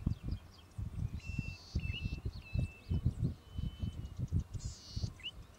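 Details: Golden-headed cisticola recorded in Victoria, Australia, in June or July 2013: high buzzy hissing notes of about half a second, separated by short clear whistles and rising notes, over loud rumbling wind noise.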